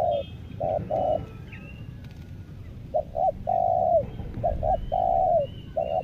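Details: Caged spotted dove used as a decoy (pikat) to lure wild doves on Lombok. It gives low, hoarse cooing phrases: short coos followed by a longer drawn-out note, repeated. Faint high whistles from other birds and a low background rumble.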